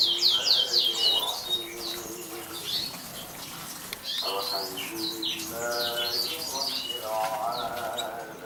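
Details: A 2014 champion Atlantic canary opens with a rapid burst of high chirped notes, followed by scattered twitters over murmuring human voices.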